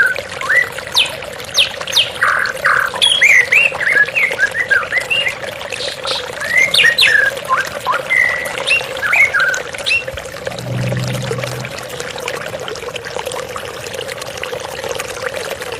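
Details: White-rumped shama in a therapy recording with running water: scattered whistled and harsh notes between 1 and 4k, some squawky bursts, over a steady watery hiss; a low rumble near the eleventh second.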